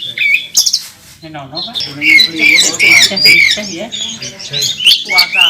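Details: Oriental magpie-robin (kacer), a national first-place contest bird, singing hard on the contest track in fighting mode with a full repertoire of mimicked fillers: dense, rapid high whistles, buzzy trills and chatter. Lower murmurs of voices sound underneath.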